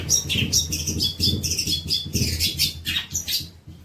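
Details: Long-tailed shrike training song, jumbled high chirps and squeaky twittering phrases that rise and fall over a low rumbling background noise.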